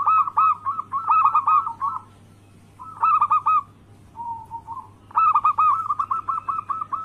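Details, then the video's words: {'caption': 'Local zebra dove song meant to trigger rival birds into calling: three phrases of rapid, bright cooing notes in quick rows, with a quieter low coo between them, and a steady hum underneath.'} "Pancingan harian burung perkutut Anggungan Lokal gacor suara Bikin Lawan langsung Bunyi"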